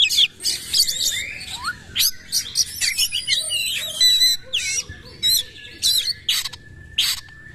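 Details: Oriental magpie-robin (kacer) in powerful 'nembak' shooting song, bowing 'sujud' style. Loud bursts of varied whistles, sweeping slurs and sharp high notes, delivered in rapid separate phrases with short gaps.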